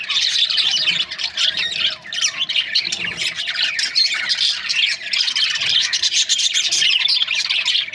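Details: Chattering flock of budgerigars in breeding pairs: busy overlapping high chirps, squeaks and warbles without pause throughout.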